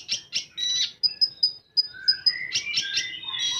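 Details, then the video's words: Common iora singing 'full tembakan': a few harsh scratchy bursts, five evenly spaced piercing high notes, then a rising sweep of overlapping whistles and chatter. "Burung Konin Full Tembakan"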